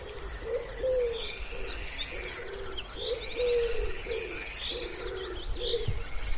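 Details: By a still pond in spring, a wood pigeon repeats soft, low coos at an uneven pace beneath busy high-pitched songbird trills, chirps and rapid warbled phrases.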